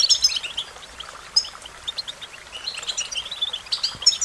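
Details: American goldfinch singing: bright, high chirps and short twittered phrases in scattered bursts, with a few louder sharp notes over faint steady background noise.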